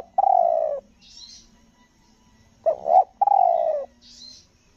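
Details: Stuttering 'nguku gagap' coo of a spotted dove kept as a trapping decoy on Lombok: a long falling coo, a pause, then a hiccuping double note and another long coo, with faint high twitters from another bird.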